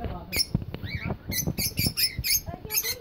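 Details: Cockatiels in a breeding colony giving a run of short, harsh, chirpy calls, bunched closely together with brief gaps, over low rumbling background noise.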